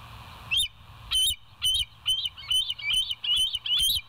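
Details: Bald eagles at the West End nest, recorded by live cam on 28 August 2023 at 07:02: about eight sharp, high, piping notes with a slight upward flick, spaced roughly half a second apart, over a low steady hum.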